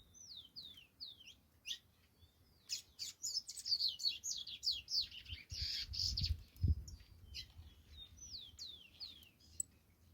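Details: Saffron finch song: a long varied sequence of high sweeping chirps and slurred notes, briefly denser in the middle, with a low thump and rumble under it.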